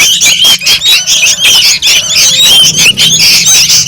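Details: Juvenile sooty-headed bulbuls making a racket, intended as a lure to attract birds: shrill, rasping squeals and squawks in quick uneven bursts, several overlapping voices, shifting in pitch.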